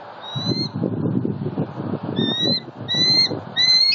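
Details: Bald eagle at a Southwest Florida nest, a mated pair bonding during an October 2019 morning; four thin, slightly rising whistled notes spaced about a second apart above steady low background rumble.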